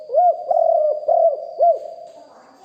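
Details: Big-voiced spotted dove kept for luring, recorded live: four low, mellow coos in quick succession, the second long and level, the others short arched hoots.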